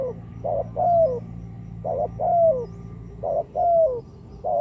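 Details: Spotted dove calling, used to lure birds for trapping: three phrases, each made of a short burred coo and a longer croo that falls away, repeated at an even pace with a soft low hum behind.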